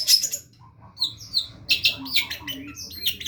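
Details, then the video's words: Long-tailed shrike in full, vigorous masteran song: high chirps and short rising whistles, then a tighter run of scratchy notes in the second half, against a quiet low background rumble. "masteran burung cendet gacor ajaib"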